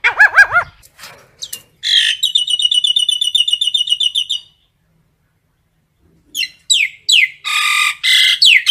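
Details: Common myna gathering its flock with varied calls: bouncing looped whistles, a long rapid rattling trill of ringing notes, then a series of harsh descending squawks and buzzy chatter.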